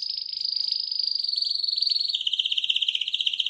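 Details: Canary singing in a championship-style vocal performance: rapid trilled rolls held near one pitch, shifting after about two seconds to a lower, pulsed trill repeated several times per second, clean background.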